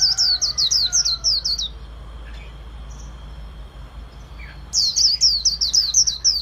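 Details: White-eye in the Vietnamese líu song style, from a bird kept by Vietnamese bird artisans: quick high chattering notes strung in a fast burst, a pause of quiet hiss, then a second equally rapid burst of sharp, slurred chirps.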